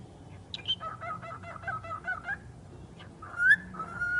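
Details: Talking bird giving a long chain of rapid, evenly spaced harmonic syllables like chattering speech, then a pause and a rising whistled phrase into a flat held tone.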